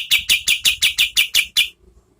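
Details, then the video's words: Nine evenly spaced, piercing chip notes from an oriental white-eye at roughly five per second, a fragment of medium-speed song used as tutor audio for competition birds. "KAPAS TEMBAK GACOR SPEED SEDANG"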